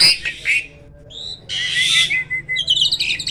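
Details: Harsh raspy bursts from a Black-winged starling, a bird called rare in the wild, separated by a quiet pause, then a level whistle and a cluster of high squeaky chirps at the close.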